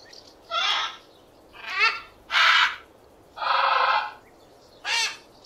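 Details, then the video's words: Parrot producing five loud harsh squawks, some drawn-out and nasal, others short and rasping, at uneven intervals of about one second; recording presented in 8D audio. "SONIDO DE LORO"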